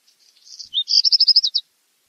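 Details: Black redstart song, a single brief strophe: faint thin notes building into a scratchy phrase, then a fast dry rattle of about eight clipped high notes that stops abruptly; clean background.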